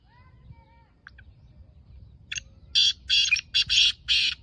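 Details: Captive black francolin giving a quick run of five loud harsh rasping notes after a quiet start with faint thin whistles from other birds.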